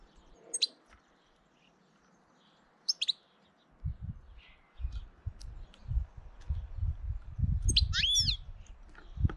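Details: European goldfinch in early April, trying to intimidate another goldfinch: sharp, high chirps near the start and at about three seconds, then a quick cluster of twittering notes near eight seconds, over low rumbling noise.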